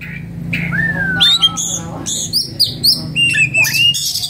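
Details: Agitated oriental magpie-robin in breeding condition: a long, clear, gently falling whistle, then a string of sharp, high squeaky notes and harsh buzzy squawks, over a steady low background hum.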